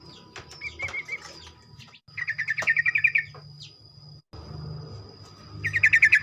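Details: A sooty-headed bulbul sings in the morning to urge other bulbuls into rapid song; a faint brief trill gives way to two loud fast runs of chattering notes, with clicks, low hum and a continuous thin whine behind.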